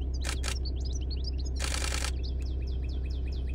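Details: European goldfinch singing: a busy stream of quick, high twittering chirps and short slurred notes, with two loud broadband bursts like wingbeats or handling and a steady low hum beneath.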